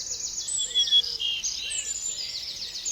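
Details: High, rapid bird song of mixed trills, sweet whistles and chirps, running continuously, with a soft lower whistled note repeating faintly beneath.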